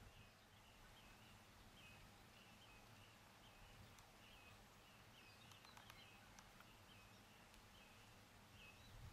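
Green bee-eater giving soft, high trilled chirps, repeated every second or so, over steady low rumbling background noise.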